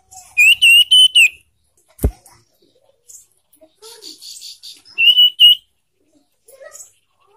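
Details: Young caged sirtu singing a song used to prompt other caged birds to sing: two bright, rapid whistled trills near one pitch, the first about a second long, the second shorter, with a sharp click between them.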